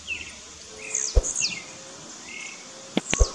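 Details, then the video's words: Blue-black grassquits (tiziu) in a dispute between rivals in scrubland: a few high, buzzy, downward-sliding notes, plus low thumps and clicks and softer chirps in a hissy background. "Disputa de Tiziu no mato."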